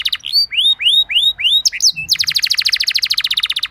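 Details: Canary lure song meant to get other canaries singing: five clear upward-curving whistled slurs, a couple of sharp chips, then a fast even rattling trill repeated many times a second.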